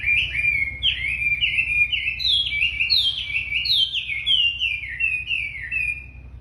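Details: A very tame, chatty racket-tailed treepie sings a rapid series of clear whistled notes, each sharply slurred downward, repeated about every half second in a bright, rolling phrase.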